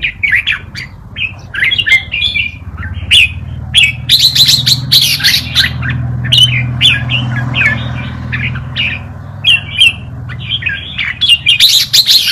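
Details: Red-whiskered bulbul tutor song for teaching young birds: a long string of lively chirpy, warbled phrases, dense in the middle, over a faint low hum.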